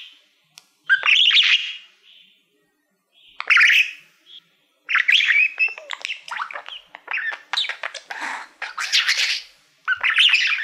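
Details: Pet male budgie warbling at his favourite mirror, a Silver Play Button award: scattered chirps and squawks after pauses, then a dense run of rapid clicks, scratchy chatter and bright rising notes.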